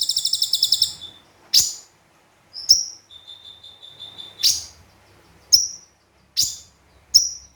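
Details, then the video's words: Konin (olive-backed sunbird) in energetic song with sparrow and cililin-style phrases: a fast high trill opens, then spaced sharp whistled chips and a soft thin series of repeated notes. "Konin Gacor Full Tembakan Kombinasi Gereja Sambung Cililin"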